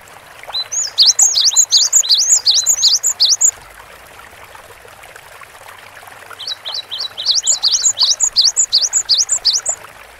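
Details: Two bouts of quick, high, repeated whistled phrases from a vigorously singing Cinereous tit, each lasting roughly three seconds and separated by a quiet gap, over faint hiss.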